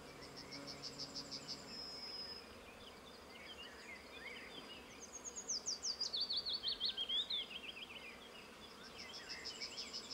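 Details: Willow warbler (Phylloscopus trochilus) singing at Bojná, Topoľčany, Slovakia: a sweet, liquid phrase of notes sliding steadily downward, with high, fast buzzy trills before and after it.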